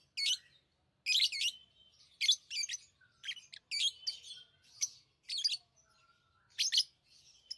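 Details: Lovebirds chirp in quick, sharp, high-pitched bursts, often paired, at irregular intervals, interspersed with soft squeaks and short whistled notes.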